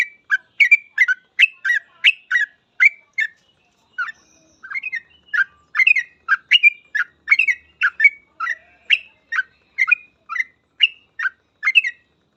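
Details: Long, almost continuous 'gacor full ropel' song of a yellow-vented bulbul: bright chirped notes repeated about twice a second, rising and falling, with one short break near four seconds.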